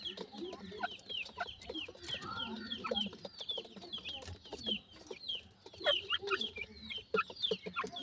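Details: Grey francolin family with chicks feeding: steady high squeaky downslurred peeps over soft low clucking, many birds calling at once in an irregular chorus.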